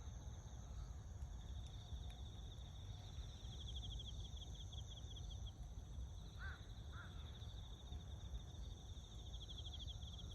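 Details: Azure-winged magpie recorded on 1 September 2021, giving two short, harsh, slightly rising calls about half a second apart, over a steady pulsing insect chorus and a low background rumble.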